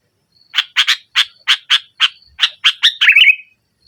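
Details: Sooty-headed bulbul delivering a nggaruda-style song to press a rival bulbul into singing. About ten steady, harsh notes, a few per second, speed up and finish in a rolling, bubbling warble.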